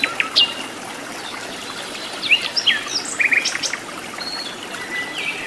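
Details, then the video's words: In its natural wild habitat, a sikatan londo flycatcher gives sparse high notes: a sharp opening chirp, then short slurred whistles and a pair of tiny trills midway, separated by hissy outdoor quiet. "KICAU BURUNG SIKATAN LONDO GACOR DI ALAM LIAR"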